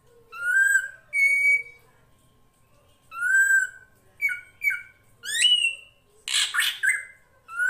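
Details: Master recording of a srigunting krantil (drongo) for tutoring songbirds: clear overtone-rich whistles, paired short rising notes, a sharp upward-sweeping call, then a harsh broad rasping burst before a final whistle.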